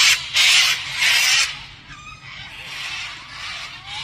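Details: Cockatoo screeching: two loud, grating, noisy bursts about half a second long open the sequence, followed by softer rasping squawks trailing off.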